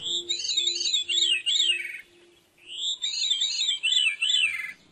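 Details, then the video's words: A male veery sings two airy, flute-like, spiralling phrases of about a second and a half each over a faint low hum; the song serves territory defence and courtship, and each bird has its own song. "So here's a song of a veery, and let's listen to it a little."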